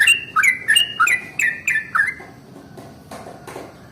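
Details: Yellow-vented bulbul singing in the morning, 'ropel panjang' style used to make other bulbuls sing: a brisk run of six or seven bubbling notes that stops halfway, followed by faint background sound.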